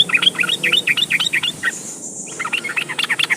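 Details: Yellow-vented bulbul lure song for getting trucukan to sing: lively, rapid chattering of short bubbly notes that break off briefly and resume, over a steady background hiss.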